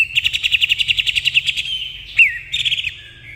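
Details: Greater green leafbird (cucak ijo) singing in the 'nembak kapas tembak' style: a fast run of about a dozen sharp, evenly pulsed high notes, then a bright downward-slurred whistle and a short buzzy phrase.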